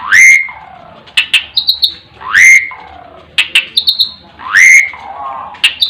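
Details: Asian pied starling, locally jalak suren, repeating its 'terkuku' phrase three times: a loud rising whistle that levels and fades, then a burst of sharp clicks and high metallic ticks, about every two seconds.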